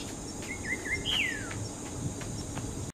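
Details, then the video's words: A greyish saltator gives one rich whistled phrase, a few wavering mid-pitched notes and then a high note slurring down, with steady insect buzzing underneath. "Pepitero gris voz/Greyish Saltator's voice"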